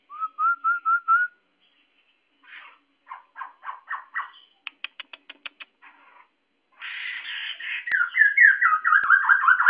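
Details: Caged white-crested laughingthrush kept as a pet, a loud, noisy singer with many voices, from scolding cries to melodic song: a short run of rising whistles, then choppy clipped notes, rapid ticks and a harsh, raucous laughing chorus.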